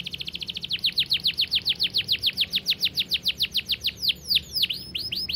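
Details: Canary pouring out a long rapid series of high descending notes, close-spaced and regular, shifting near the end into quicker, higher upward flicks.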